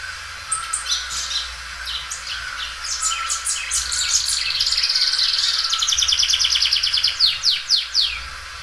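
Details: Belgian canary, a loud singer stretching its song several times: scattered high chips, then a sustained trill of rapid repeated notes, finishing with steep downward sweeps.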